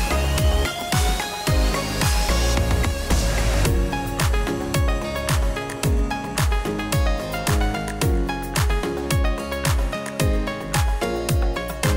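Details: Loud electronic music with a heavy, steady bass beat fills the whole passage, and no animal voices come through.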